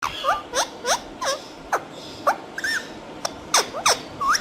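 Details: Green talking parrots giving rapid, irregular squeaky calls: short downward-then-upward sweeping whistles about three per second, with brief clicks and a faint background hiss.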